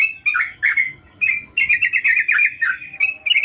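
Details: Lively song of a sooty-headed bulbul: a few slurred chirps, a pause, then a fast rippling run of notes ending in short whistles.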